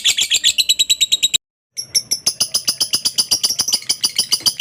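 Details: Lovebird ngekek chatter meant to draw replies from other lovebirds: rapid high, harsh repeated notes, broken by a brief silent gap, then resuming just as fast.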